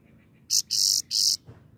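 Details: Singing grey-crowned goldfinch giving three harsh, buzzy high bursts in quick succession, the first short and the next two longer, after faint soft chirps against a low steady background.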